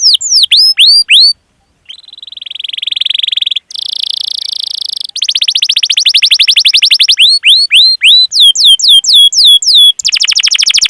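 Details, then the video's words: Canary singing a long rolling 'cuit cuit' master song used to coax other canaries: quick downslurred whistles, a short pause, buzzy high trills, dense rapid rolls, then curved sweeping notes and a final trill. "Masteran Suara Burung Kenari Gacor Panjang cuit cuit Ngerol untuk Pancingan Kenari!"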